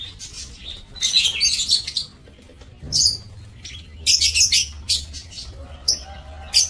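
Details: Lovebirds in an aviary, recorded 5 July 2024: bursts of shrill, high chattering and screeching notes in clusters separated by short pauses, with a low steady hum underneath.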